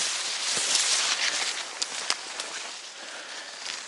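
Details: Steady rustling outdoor noise with a few sharp clicks and crackles; no clear animal call stands out.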